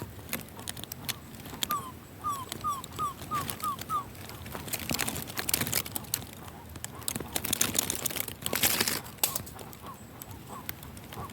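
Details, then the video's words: Guan (jacu) calling in the sertão: a run of six short, downslurred honking notes in quick succession, with more scattered notes later and rustling, clicking background noise. "Jacu fazendo barulho no sertão"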